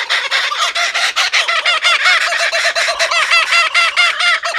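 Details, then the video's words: Laughing Kookaburras at Birdworld give a loud, raucous chorus of rapid, bubbling hoots and cackles, several birds overlapping in a continuous rolling laugh. "Laughing Kookaburras"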